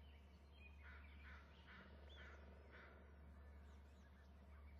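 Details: Adult eagle flapping and calling at its nest of eggs, answered by its mate, with a third eagle heard nearby. A run of rough, evenly repeated chattering notes, about four in two seconds, sits over a constant low hum, with thin bird whistles.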